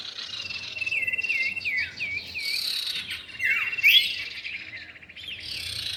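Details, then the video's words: Common iora pair, male and female, for luring: a run of repeated looped whistles early on, then a long falling slur and sharp rising notes, high chattering throughout with a faint low hum beneath. "pikat burung cipow jantan dan betina"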